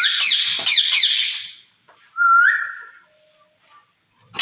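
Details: Pair of caged rose-ringed parakeets talking to each other, said to use Urdu and Hindi; a run of shrill, rapid screeches followed by a short, clear whistle that rises slightly, then quiet.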